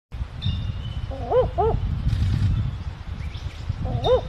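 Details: Barking owl, a nocturnal bird of Australia, New Guinea and the Moluccas: a pair of short, hoarse, barking hoots, a pause, then another pair, over a low rumbling background.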